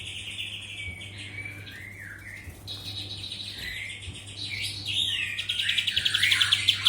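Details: A kapas tembak bird delivers a varied high song of warbles, slurred notes and rapid chattering, growing louder toward the end, over a steady low electrical hum.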